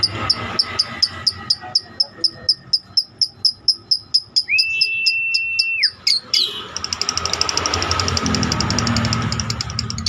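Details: Caged lovebird's long ngekek trill, kept for tutoring other birds: evenly spaced high chirps speeding into a rapid trill, a flat sustained whistle in the middle, then a dense run of fast pulses with background noise.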